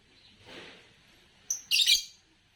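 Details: Green Fischer's lovebird: a brief clear whistle followed at once by one loud, harsh, buzzy chirp, after a soft low murmur.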